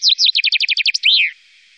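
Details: A chaffinch in Wittlicher Tal, Germany, 2018, sings a bright, rapid run of about a dozen descending notes that speeds into a trill and ends in a sweeping flourish. No other sounds intrude.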